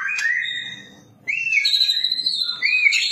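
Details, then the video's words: White-rumped shama tutor recording, said to answer straight away, with fancy hill-prinia-like phrases: clear, high whistles that slur up and down in two rich bursts separated by a short pause. "Murai batu PASTOL langsung NYAUT cililinan mewah"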